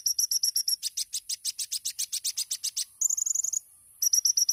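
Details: Champion olive-backed sunbird (kolibri ninja), masteran 'tembakan' song: quick high chips, a long run of evenly spaced harsh notes, a fast thin trill, a pause, then more sharp chips.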